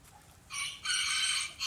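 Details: Short, bright, high-pitched crow from a tiny rooster said to be the smallest in the world, rising in two loud harmonic segments over about a second against a low background hum.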